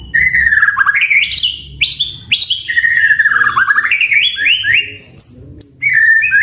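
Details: Caged white-rumped shama in full song: loud slurred whistles swinging up and down, rising stepped runs and a few high clear notes near the end, almost without pause.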